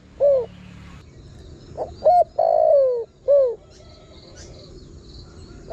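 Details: Lure call of a spotted dove meant to draw in wild birds: a lone curved coo, then a phrase of short notes, a long descending coo and a short arched coo, with faint high buzzing in the background.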